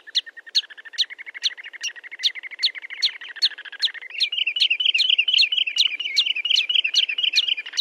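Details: Sandpiper calls in a noise-free recording: evenly spaced sharp high ticks over a continuous rapid trill that jumps higher after about four seconds and grows louder, with several birds seemingly calling together.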